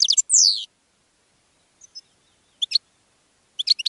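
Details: Goldfinch singing to attract other birds. A few high chips lead into a buzzy descending slur, followed by a pause and scattered short bursts of sharp twittering notes.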